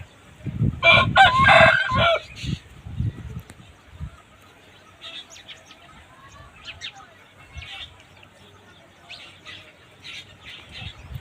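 An Aseel rooster gives one loud, hoarse crow lasting about two seconds, followed by soft, scattered clucking notes against a quiet background.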